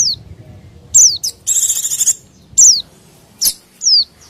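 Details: Busy white-eye calling meant to attract wild white-eyes and small birds: high downslurred whistles, a half-second buzzy rattling trill, then more falling notes and a short sharp chip.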